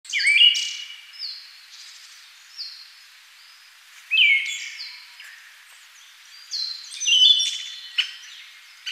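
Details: Siberian thrush (Zoothera sibirica) giving short, loud phrases about every four seconds: each is a sharp falling note followed by a thin, high, sustained whistle, with quieter high chirps and notes from other birds between phrases.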